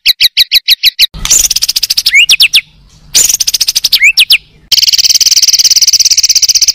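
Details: Contest Oriental magpie-robin singing isian to rattle competing birds: sharp repeated chips, then rapid chatter broken by upward-sweeping whistles, followed by a sustained fast buzzing trill.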